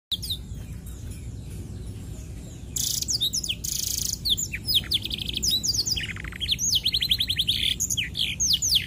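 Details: Young canary learning black-throated canary song, wings opened while singing; bright varied twittering starting after a quiet opening, with rapid high trills, down-slurred whistles and buzzy rattles building toward the end.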